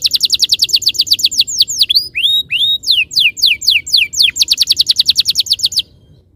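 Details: Canary song as a lure for rolling song: a long fast trill of bright high notes, curving whistled sweeps in the middle, then another rapid trill before falling silent.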